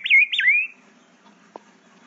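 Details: An 8-month-old green-winged saltator, a young bird learning to sing, gives a short, clear whistled phrase with two quick looping notes, then a sliding tail, followed by quiet and a faint click.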